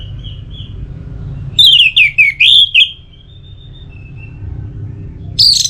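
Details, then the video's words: Orange-headed thrush song used as a singing stimulus: faint soft whistles, then a strong run of five bright, swooping whistled notes, quiet again, and a sharp high note at the close. "Pemancing Burung ANIS MERAH Agar Selalu Gacor, Baik di Musim Hujan & Kemarau"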